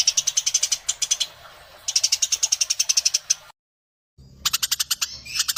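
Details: Fighting Eurasian tree sparrow: bursts of fast, sharp, high chirps roll on for over a second each, separated by brief pauses and one silent gap, all clear against a quiet background.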